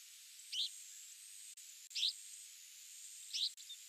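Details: Australasian pipit, a passage migrant seen each spring and autumn at Higashizaki on Yonaguni Island, Japan, giving short, rasping high notes about every one and a half seconds over a steady high hiss of insects or wind.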